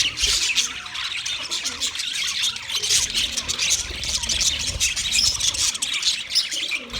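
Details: White male budgerigars chirping during mating; dense, continuous high warbling chatter with scratchy squawks and quick chirps layered over each other throughout, with faint low rumbling beneath.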